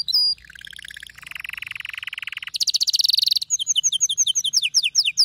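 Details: Excited male canary delivering a chain of rolling trills. A lower trill is followed by a higher, faster one, then a series of quick slurred whistles repeated in a steady rhythm.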